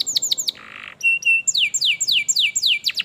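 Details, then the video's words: Canary song used as a training recording to prompt a lazy canary to sing: rapid descending whistled sweeps, a buzzy trill, steady high notes, then a fast series of downward-sliding whistles repeated several times a second. "kenarimu pasti ikut gacor || masteran kenari malas bunyi"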